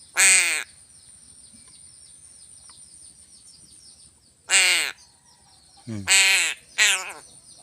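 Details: Crow fed fish: one raspy caw, a long pause, then three caws in quick succession, with soft human murmuring nearby.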